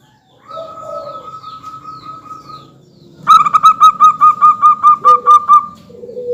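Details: Local zebra dove song used as a lure to get other birds calling: a soft level phrase, then a loud series of about ten quick, bubbling coos, with lower short coos from another bird at the end.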